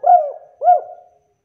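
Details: Spotted dove uttering the kuk call said to start other doves calling: two soft looping coos about half a second apart, each rising then sliding down and trailing off, in clean silence.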